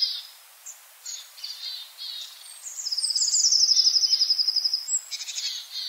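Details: Long-tailed tit in a yard at Joroinen, Finland: thin, very high call notes, then a fast, even buzzing trill lasting about two seconds, followed by more short high notes.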